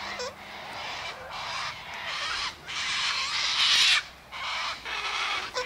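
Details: Harsh, grating screeches from sulphur-crested cockatoos eating scattered sunflower seeds, wheat and birdseed mix near an eastern gate, long rasping bursts running almost continuously with short gaps.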